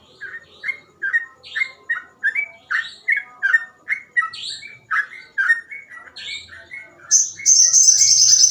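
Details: Sooty-headed bulbul singing 'gacor ropel' with easily copied phrases: rapid whistled notes with occasional higher squeaky accents, finishing with a sustained harsh buzzy rasp.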